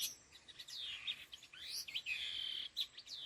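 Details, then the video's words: Laughingthrush (khứu lùn) giving 'đôi hung gọi đằng' calls. Looping whistles and swooping slurs end in a prolonged steady whistle with a few brief chirps. "Âm Thanh Chim Khứu Lùn Đôi Hung Gọi Đằng"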